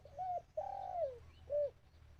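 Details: Decoy dove calling to lure wild birds during trapping: a short low coo, a long slurred note falling at the end, then a brief clipped coo, with a steady low hum behind.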